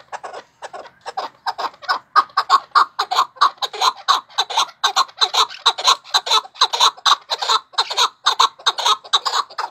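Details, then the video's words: Chukar partridge giving a steady, rhythmic run of harsh, clucking notes, about two each second, for the whole ten seconds. No other sounds are clear. "keklik sesi MÜKEMMEL ÖTÜYOR"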